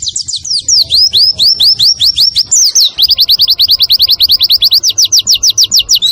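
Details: White-eye master song for caged-bird training, nembak style with kunti, wit wit and kenari phrases: high swooping whistled notes, then a brief upward slur and a faster run of sharp rising chirps.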